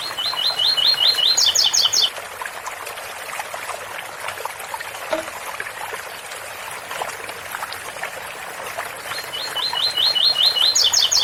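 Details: Ouro fino style song, 8x4 - 7x4, from a double-collared seedeater with a water fountain running: two bright phrases, each a rapid string of even notes stepping up into a higher burst, separated by about seven seconds of splashing water.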